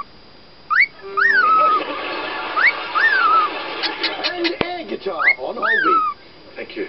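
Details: A male pied cockatiel gives repeated two-note wolf whistles, a sharp rising slide then a falling one, then seems to laugh at himself; a grey cockatiel is in the background.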